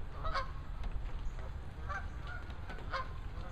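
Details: Geese in a gaggle calling with brief nasal honks spaced about a second apart, partly buried under heavy low-pitched wind rumble.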